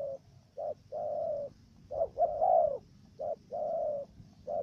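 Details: In Cà Mau, Vietnam, a trapping decoy dove repeats the stuttering 'gù cà lăm' coo. Short soft notes alternate with sustained, hollow coos in an uneven rhythm, over low background noise.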